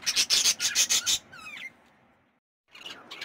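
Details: Budgerigar chicks producing a harsh, raspy pulsed buzz repeated about three times per second, then a thin rising squeak, a silent pause, and a renewed scratchy chirping at the end.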